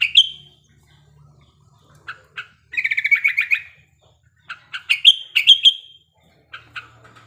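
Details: Breeding sooty-headed bulbul as a singing lure: an opening whistle, a fast rattling chatter, then lively bursts of clear whistled notes.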